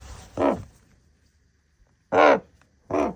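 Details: Common raven giving three harsh, hoarse croaking calls: one at the start, then two in quick succession near the end, each short and rasping with a broad throaty tone, separated by quiet gaps.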